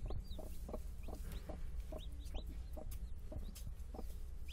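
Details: Hens tending their chicks give a steady run of brief low clucks, about two per second. Sharp descending peeps from the chicks come in between, over constant low background rumble.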